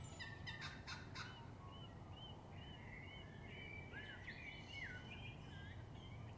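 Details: Unidentified birds singing at dawn in Melbourne, Australia: a few rapid buzzy notes at the start, then overlapping fluted, warbling phrases that rise and fall in smooth slurs, with steady low background hum throughout.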